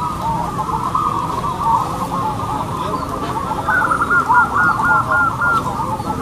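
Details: At a singing contest of local zebra doves, one bird delivers a quick string of clear, repeated coos in the second half, rising above a thick, constant backdrop of many other cooing doves and people.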